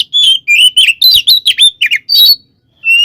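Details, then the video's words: Oriental magpie-robin delivering a provoking 'tarung konslet' fighting song packed with fill-in phrases; clear whistled notes bending up and down, separated by short gaps, ending after a brief silence with one more whistle. "SUARA BURUNG kacer gacor TARUNG KONSLET full isian ini AMPUH buat PANCINGAN KACER agar EMOSI"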